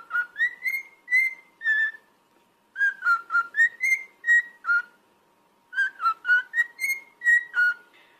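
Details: Pet cockatiel song in three phrases of rapid short whistles, each phrase climbing slightly then dropping, separated by brief silences, over a thin constant background tone.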